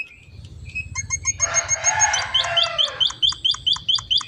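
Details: Munia, called emprit finch, in gacor isian singing: a short harsh, scratchy burst gives way to crisp, high, repeated chip notes at a quick, even pace over a low rumbling background.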